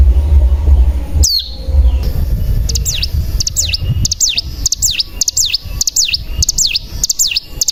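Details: Bar-winged prinia used as a lure to provoke singing: after a loud sweeping note, a run of sharp V-shaped high notes repeats about twice per second over strong low rumbling background noise.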